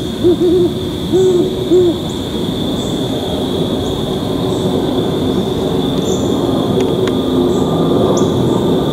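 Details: Great horned owl pair duetting on 2 October 2020 at about 6:45 PM: deep, soft hoots in quick clusters from the female nearby, with the male's fainter answering hoots in the distance, over insect drone; strengthens pair bond and announces occupied territory.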